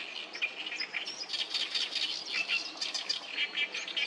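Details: A short burst of oriental reed warbler song from a noisy group at the Sawatari River, 7 June 2024, with gruff, chattering notes and squeaky accents tumbling quickly one after another.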